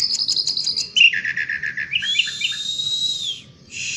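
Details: Asian pied starling in outdoor song, opening with a quick series of repeated high notes, then chattering phrases and a long drawn-out whistle, ending after a brief pause.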